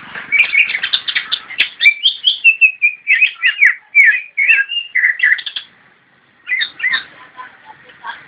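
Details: Javan white-eye in nyinden song: a long rapid run of high chirps and whistled slurred notes, falling silent for about a second before resuming with more twittering phrases.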